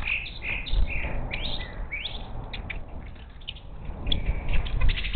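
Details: Wild monk parakeets visiting a bird feeder on the outskirts of Houston, Texas, on the Gulf Coast, 10 March 2021, caught by a feeder cam: a steady stream of harsh, chattering chirps and short rising squawks, densely overlapping, with low background rumble.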